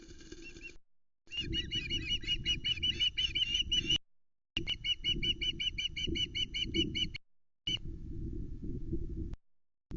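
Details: Juvenile female osprey mantling over a delivered headless flatfish on the Loch Arkaig nest, 17 August 2020, still screaming: long, insistent series of fast, shrill, grating notes in two main runs, with heavy wind and nest rustle.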